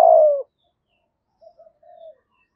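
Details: Spotted dove of the 'thổ' voice style, kept as a decoy to call wild doves: one strong, long falling coo opens, then a few faint, soft low coos in an otherwise quiet background.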